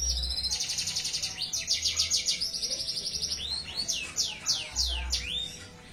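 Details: Canary singing melodiously, a rapid trilled series of high notes repeated several times a second, shifting into sweeping downslurred whistles, with low thumping bursts of background noise underneath.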